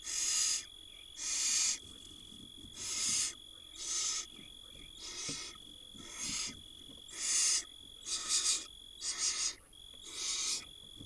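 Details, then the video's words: Barn owl nestlings begging while their mother feeds them at a nest, a tiny nestling swallowing a mouse; long harsh hissing screeches repeat about once a second, broad and noisy, with a steady faint tone running underneath. "Barn Owl tiny nestling swallows mouse while other get fed by their Mom."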